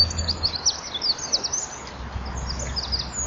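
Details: Eurasian wren in a winter dusk concert, singing with fluttering wings; quick high twittering phrases and trills repeated in bursts over a constant low hum.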